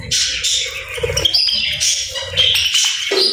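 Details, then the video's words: Lively bird chatter with playful squawky chirps and warbled whistles in quick, uneven bursts, while soft low thumps sit beneath the calls. "Playful Birds 🐦🎶 | Relaxing Chirping Sounds"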